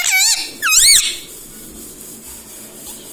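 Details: Pet ringneck parrot indoors imitating human words such as mummy: two quick, wavy, squeaky syllables in the first second, then near silence with faint room noise.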